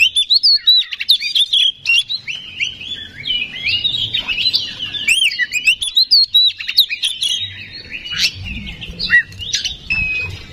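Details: Oriental magpie-robin (kacer) song as a lure to stir singing: long continuous stream of varied whistled and warbled notes, some harsh chattering, with faint low background rumble.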